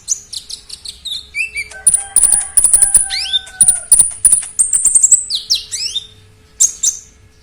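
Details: Oriental magpie-robin in loud, full song packed with varied notes: rapid high chirps, sharp clicks and down-slurred whistles, plus two long steady whistled tones held for about two seconds midway.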